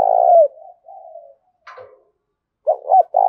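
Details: Spotted dove decoy bird cooing energetically to stir up wild doves: a loud drawn-out coo falling at the end, soft trailing coos, then two short clipped notes and another long coo starting.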